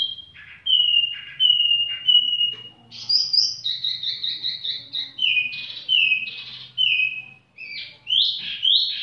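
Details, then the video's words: A tiểu mi bird sings casually in slurred high whistles, several drawn-out level notes, then a rapid burst of chirps and more sweeping whistled phrases. "chim tiểu mi chơi lai rai"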